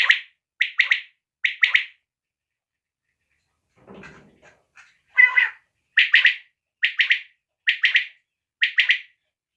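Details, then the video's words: Desi quail calling: clipped two- to three-note phrases repeated about once a second, with a short pause broken by soft scratchy sounds before the calling resumes. "desi batair ki new awaz mach goups batair sound 2023"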